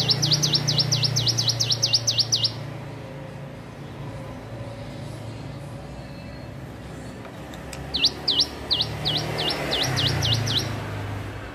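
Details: Hill prinia learning to sing: two bursts of rapid, repeated V-shaped whistled notes, about ten per burst, separated by a pause, over a steady low engine-like hum.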